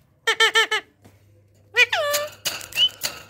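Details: An Indian parrot, a rose-ringed parakeet, mimicking sounds indoors: a quick run of four harmonic squeaky notes, then a downward-sliding nasal call followed by harsher squawks, with a low steady hum underneath.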